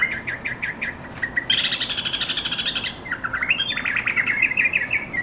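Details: A series of short, evenly paced chirps from a yellow-vented bulbul calling companions leads into a loud, grating buzz. It ends with a rising, bubbly twitter of quick notes.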